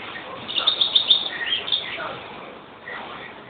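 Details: A European greenfinch delivers a rapid trill of about a dozen high, clipped notes in the first second, then a few lower twittered notes before fading into quiet background noise.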